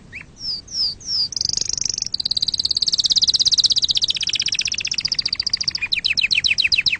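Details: Tutor song of a canary for teaching young birds: a few quick downslurred notes, then a sustained high rolling trill that drops slightly in pitch and ends in fast repeated rising chips.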